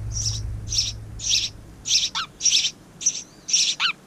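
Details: Young house wrens in a garden bird house, the season's second family, give a series of scratchy, high hissing bursts. A few short, sharp descending chirps are mixed in between them.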